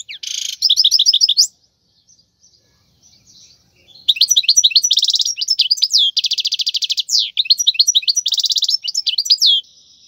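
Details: Wild European goldfinch song meant for tutoring young birds: a short burst of rapid tinkling notes, a pause of near silence, then a long fast liquid twitter of buzzy trills and high chirps.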